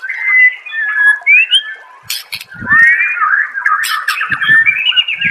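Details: White-rumped shama singing a clear master song meant to prompt other shamas: loud whistled phrases and fast warbling runs, with a few low knocking thumps in the background.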